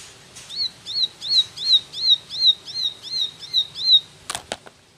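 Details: Ciblek, the bar-winged prinia, delivering a run of about ten quick, high, slurred whistled notes in tembakan style, then stopping, followed by a few sharp knocking clicks.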